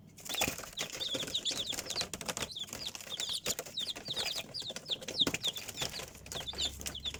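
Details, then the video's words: Many domestic chicks peeping together: thin, high, downward-sliding peeps repeated rapidly and steadily throughout, over constant rustling and frequent sharp clicks and taps. "Цыплята / chickens"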